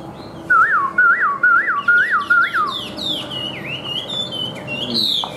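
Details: Chinese hwamei with white wings and tail, said to sing high and fight well, repeats a looping wavering whistle five times at a steady pace, then climbs into higher, varied slurred phrases.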